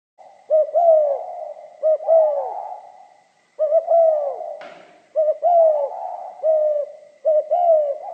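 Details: Spotted dove singing in the 'giọng pha kim' style: low hollow coos, each phrase a quick double note then a longer downslurred coo, repeated about every 1.5 seconds, with a faint steady high whine and one brief clatter midway.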